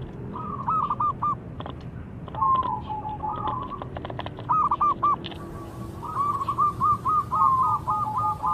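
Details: Zebra dove song to draw replies from rival doves: uneven groups of short whistled notes early, then a long fast run of repeated whistles at the end, amid clicking noises.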